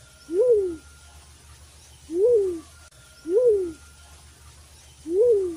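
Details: A black-chinned fruit dove (Ptilinopus leclancheri), a kept bird used as a hunting lure, gives four low, mellow hoots, each briefly rising then falling, spaced roughly a second or more apart over a faint low hum.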